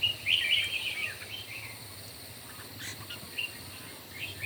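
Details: Red-whiskered bulbul in a morning singing contest: a bright burst of quick whistled warbling phrases at the start, then fainter scattered notes, over a steady thin high-pitched whine.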